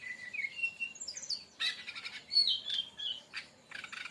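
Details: Brown-chested jungle flycatcher 'tembakan' song, used for luring or training other birds: wavering whistled notes at the start, a loud rasping burst, then more slurred whistles and scratchy chatter.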